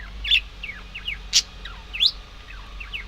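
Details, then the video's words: Budgerigars calling with a few bright rising and falling chirps and three loud sharp squeaks in three seconds. "Волнистые попугайчики (budgies)"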